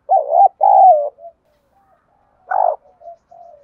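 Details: Spotted dove cooing, used to stimulate other doves to respond: loud paired throaty coos with wavering pitch, a pause, then a shorter coo followed by faint soft trailing notes.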